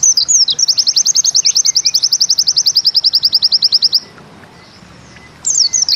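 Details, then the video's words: White-eye (pleci) of the Bustomi kind, 'nembak ziperrr' song: brief swooping notes open a long, very fast trill of even, high notes lasting over three seconds. After a quiet spell, fresh whistles begin near the end. "Bustomi NEmbak Ziperrr"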